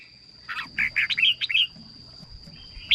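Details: Red-whiskered bulbul song meant for exciting birds or decoying: a quick series of six warbled, slurred whistles, then a single sharp note near the end, over a constant faint high whine.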